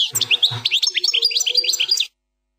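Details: Continuous two-second phrase of 'plak mine' style European goldfinch song, a fast jumble of bright chirps, liquid twitters and descending slurred notes, then sudden silence.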